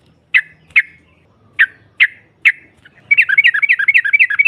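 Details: Female yellow-vented bulbul, provoking rival birds: five single sharp chip notes spaced about half a second apart, then a sudden burst of fast bubbling ngropel chatter.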